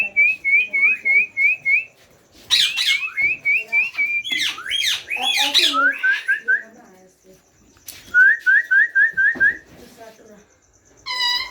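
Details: Rose-ringed parakeet chicks, still young, during feeding: rapid series of thin rising whistled notes, interrupted by harsh squawking bursts and a man's speech in the middle.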